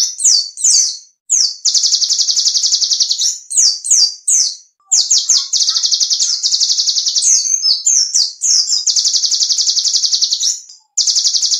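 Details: Small songbird song used for training competition songbirds: loud, clear, piercing high trills in long sustained bursts broken by sharp rapid chips and short pauses, with a faintly electronic, synthetic quality.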